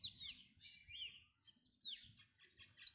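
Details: Black drongo calling: sharp whistled notes that slide downward, given in short bursts with brief pauses, over a low rumble of background noise.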